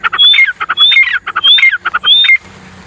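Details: Wild grey francolins, or teetar, four birds calling: loud rhythmic phrases, each a rising whistled note followed by harsh clipped notes, repeated four times in quick succession before a quiet tail.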